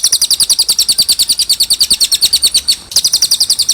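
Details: Cililin song, a clear tutor recording used to teach young birds such as jalak suren and kacer: rapid, even string of high, sharp double-noted chirps, about three per second, with one brief break near the end.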